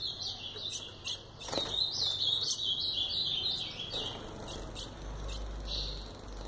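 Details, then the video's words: A brown-plumaged (pardo) ultramarine grosbeak, described as excited, sings a quick warbled phrase of sweet, slurred high notes rising and falling over a faint low hum, having just arrived and mated with the female. "Azulão pardo galando"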